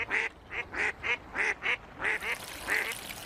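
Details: Near ducklings swimming in a pool, a duck gives loud, raspy quacks in an uneven run, some paired closely, with a hiss of background noise.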